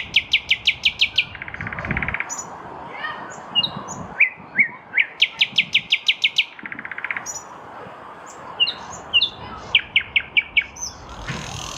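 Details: A nightingale sings from a lilac bush in spring 2023: rapid rattling bursts of evenly repeated notes, a buzzy trill, varied whistles, then another fast repeated series and more scattered phrases.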